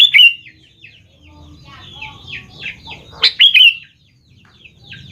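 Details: Used as a lure to get young sooty-headed bulbuls to respond, this song gives strong, liquid whistled phrases at the start and again past the middle, separated by softer descending chirps over a low hum.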